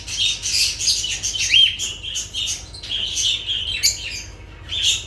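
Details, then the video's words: Continuous shrill lovebird chirping and squawking, high scratchy notes tumbling quickly with a few sharp squeaks, over a low steady hum. "Sounds of lovebirds"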